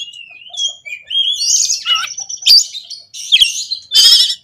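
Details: Oriental magpie-robin (kacer) singing in konslet style with full fill-ins: soft rising whistles at first, then louder warbled phrases and three harsh, noisy rasping bursts near the end.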